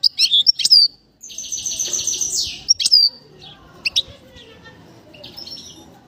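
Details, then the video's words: Bird whistling, a varied run of high whistled and chirping notes: sharp slurred whistles, a sustained buzzy trill near the middle, then scattered short chirps fading toward the end over faint low background noise. "The bird's voice is beautiful, the bird is whistling"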